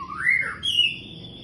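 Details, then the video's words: Brief song fragment from a white-rumped shama after moult: a rising slurred whistle followed by a higher, sustained clear note. "muraibatu Badut pasca mabung"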